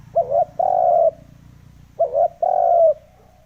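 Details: Spotted dove lure call used to provoke wild doves: two cooing phrases, each a quick stuttered double note followed by a long, steady, low hollow coo, with a short gap between phrases.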